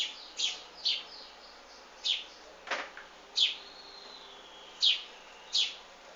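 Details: Nestlings of a wild bird calling while the mother feeds them: short, piercing high chirps repeated irregularly, with one faint drawn-out whistle and a brief rustle, over a constant hiss.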